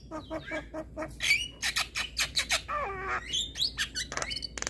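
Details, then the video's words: Male Javan myna, its song said to provoke other mynas; rapid clipped notes lead into harsh rasping bursts, a wavering whistled mid-pitched phrase, and sharp squeaky whistles with clicking. "Burung Jalak Apapun LAngsung Emosi Dengar Suara Jalak Kebo Jantan Masteran"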